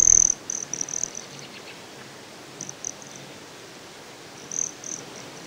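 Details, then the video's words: Broad-tailed hummingbird at Great Sand Dunes, Colorado: a loud high chip opens, then a series of short, thin, very high notes in clusters, with another burst near the end over a steady faint hiss. "Broad-tailed Hummingbird"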